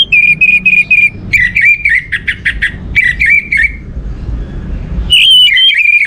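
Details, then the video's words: Orange-headed thrush song used to encourage other birds to sing: evenly repeated whistled notes, then fast clipped phrases and slurs, a brief lull, and a final burst of whistles. "Pancingan Burung Anis Merah ini untuk merangsang burung lain jadi gacor"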